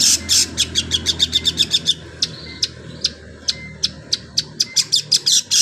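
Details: Long-tailed shrike imitating a canary, delivering quick bursts of high, thin, scratchy notes in fast series, pausing, then resuming with evenly spaced sharp chips and short whistled slurs.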